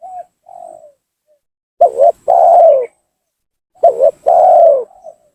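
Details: Lure call of a spotted dove meant to bring down and agitate a rival: softer coos at the start, then two loud phrases of a quick double coo followed by a long, gently falling coo, about two seconds apart.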